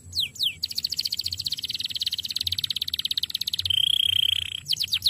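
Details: Canary song for training birds: a couple of falling swept notes, a long rapid rolling trill, a level high whistle, then more quick downward sweeps.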